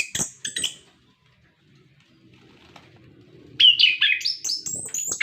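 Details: Orange-headed thrush song, played to prompt caged birds to sing: a few sharp high notes, nearly three seconds of quiet, then a burst of varied whistled phrases stepping upward.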